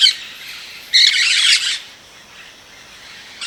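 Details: Rose-headed parakeet calling with grating, noisy squawks: a brief one at the start, a longer rasping run around the middle second, and another short squawk at the very end.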